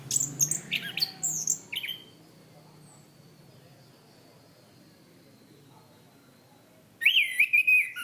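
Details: Tutor song of a Chestnut-capped thrush kept as a cage bird. Two seconds of quick, high chirps and squeaky notes, five seconds of near silence with faint hum, then a loud wavering whistled phrase with sharp overtones.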